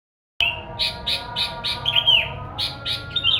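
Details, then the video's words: Sooty-headed bulbul song used to lure wild bulbuls: a run of short bright chirps, about two per second, with one longer whistled, arching downslur midway, over a faint steady hum. "kicau kutilang buat pancingan kutilang liar"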